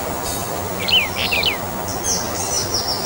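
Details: One short phrase of three descending whistled notes from a Brown bullfinch of subspecies uchidae, followed by thin, high trills from another bird over continuous background noise.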